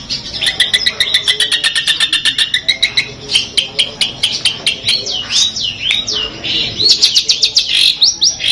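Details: Madura long-tailed shrike, 'Peterpan' type, delivering 'full Armagedon' material: fast even ticking trill sliding downward, then varied looping whistles and sharp rising sweeps, ending with another rapid buzzy trill.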